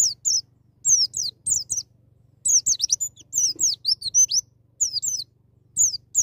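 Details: White-eye singing in the wild 'ngalas' style with rapid 'nembak' bursts, used to spur young birds into singing: clusters of thin, high, downslurred chirps in quick runs, separated by short pauses, over a faint low hum.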